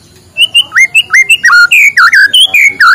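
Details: Morning song of a white-rumped shama, played to prompt lazy birds to sing: a rich, fast run of varied whistled notes, slurred upward and downward, repeated in lively bursts with sharp higher accents.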